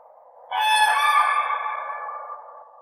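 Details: Common crane: a faint hum, then a single strong, resonant trumpeting note that tapers off over about two seconds.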